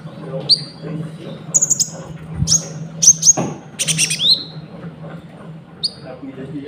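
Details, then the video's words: Konin lure with cricket sounds, for trapping and for training caged birds. Scattered high sharp whistles, some quickly repeated in twos and threes, come over a low steady hum. "PANCINGAN GACOR BURUNG KONIN ISIAN JANGKRIK"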